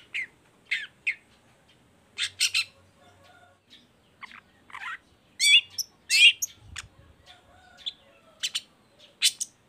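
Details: A long-tailed shrike, used as a lure to get other shrikes singing, gives a varied chattering song of harsh bursts and scratchy notes mixed with high chirps, in irregular phrases, with a few low thumps.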